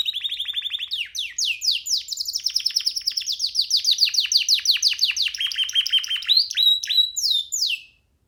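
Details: Canary chick singing freely from a hand: a long varied song of fast repeated descending notes, rolling trills and a flat steady passage, ending with a few sweeping whistles and silence.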